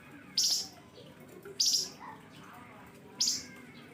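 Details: Flamboyan bird in sharp 'nembak pedes' lure chirping: three loud, grating, very high chirps, each lasting about a quarter second, repeated roughly every 1.3 seconds, with faint softer notes between them.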